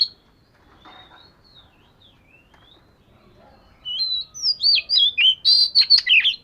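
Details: Voice-training session of an Oriental magpie-robin. After faint, soft notes, a loud rush of rapid whistles bursts in, with notes swooping up and down in quick succession.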